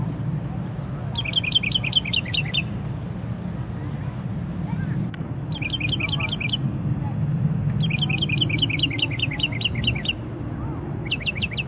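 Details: Unidentified songbird singing in the middle of the night with a varied repertoire: bursts of rapid, repeated high chirping notes in trills lasting about a second, separated by pauses, over a steady low rumble of traffic.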